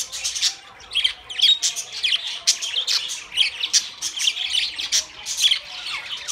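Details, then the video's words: Budgerigars calling in quick bursts of harsh squawks and bright chirps, separated by tiny gaps, giving an excited, pulsing chatter. "Beautiful Budgie Beautiful Budgies Parrot Talking"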